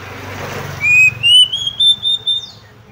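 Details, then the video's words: A female Oriental magpie-robin's call, meant to stir males into anger and tail-spreading. Clear whistled notes step upward in a connected chain of about six pulses, with soft background hum beforehand. "PANCINGAN AGAR KACER CEPAT EMOSI, GACR DAN BKA EKOR || KACER BETINA"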